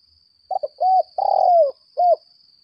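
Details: Spotted dove, a decoy bird of the 'lambung kuk' type, calling in a long contest bout: a few clipped low notes, then rounded hooting coos and a drawn-out falling coo, in a quiet room with a faint steady high tone.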